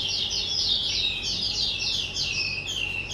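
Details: Skylark kept as a pet, two years old, heard on 18 April 2023 giving quick, high, slurred chirps in a rapid, varied sequence with downward-sweeping notes.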